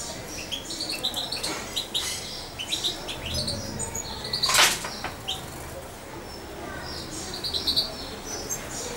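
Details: Young European goldfinch about two months old, hand-reared on syringe feeding and kept close to its keeper, giving short high chirps scattered through the clip, mixed with rustling, clicks and wing flutter.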